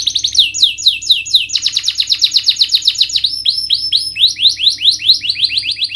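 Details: Canary song played to stimulate a bird reluctant to sing: varied rapid trills of slurred chirps, a brief thin whistled phrase at top pitch, then more fast rolling notes.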